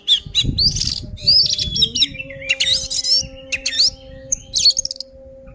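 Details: Oriental magpie-robin fighting song used to provoke other birds, dense and loud with mixed whistles, harsh chattering bursts and thin sweeping notes, plus rumbling low noise and a steady hum.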